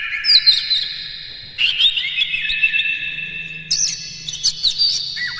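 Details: Oriental magpie-robin in full song with mimicked fills, used as a lure: bright whistles and chips in three bursts, ending with steeply falling slurs over a faint low hum.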